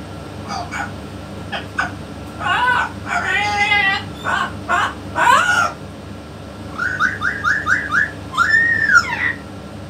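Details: Talking yellow-naped amazon with a parrot expert: choppy speech-like syllables, then five quick rising notes in a row and a final arched, drawn-out call, low hum throughout.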